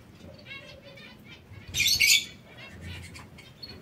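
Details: Two male canaries fighting each other, kept indoors: a sudden harsh, scratchy burst of high chattering at about two seconds, with softer twittering before and after over a steady low background hum.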